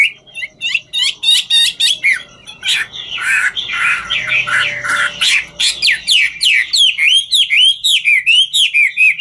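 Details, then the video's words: Chinese hwamei, 'ngũ trường' singer, dancing as it sings: a fast run of sharp whistled notes, a noisier jumbled stretch in the middle, then looping rising-and-falling whistles repeated quickly. "Họa mi ngũ trường hót múa cực chất"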